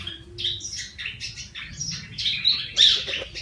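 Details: Yellow-vented bulbul, wild-caught by trapping, now tame and kept one month, starting to sing: scattered chirpy, liquid notes in short bursts, with a louder burst near the end, over a low steady hum.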